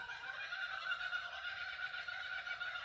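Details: Laughing kookaburras outside the house, heard from indoors, give a steady, rapid chuckling chorus, a dense run of repeated cackling notes that carries on throughout, muffled.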